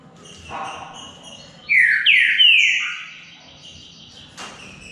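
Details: Green-winged saltator in a two-bird singing duel, giving a short phrase of three strong, descending whistled notes in quick succession, followed by a faint sharp click and soft background noise.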